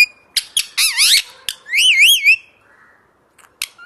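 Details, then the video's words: Captive parrot kept behind glass, singing: sharp squawks, then a rapid wavering whistled phrase that sweeps up and down, a second looping whistle, and a few clicks at the end. "Parrot's Song"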